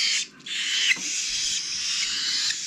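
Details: Young cockatiels from a 2021 aviary, the last of the season's brood, begging during hand-feeding, producing a steady harsh, breathy rasp that briefly drops away and then resumes.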